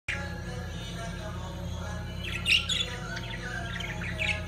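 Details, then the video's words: Lovebirds during mating give a few shrill, chattering chirps in two short bursts, over a steady low hum and faint music. "طيور الحب عندالتزاوج"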